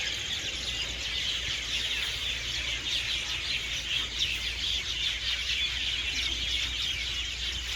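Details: Flock of hundreds of birds settling for the night in garden trees at evening, their loud chirping merging into a thick, echoing mass of high twittering with a soft low drone beneath.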